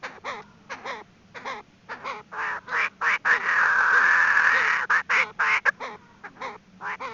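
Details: Female Chinese francolin lure call, loud and busy: rapid wavering nasal notes about four per second surround a long, harsh, sustained grating stretch in the middle.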